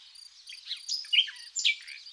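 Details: Common nightingale singing in spring among wild flowers at Zagorochoria, Epirus, Greece: a quick jumble of varied whistled and slurred notes, several swooping downward, over steady high pulsing trills of crickets.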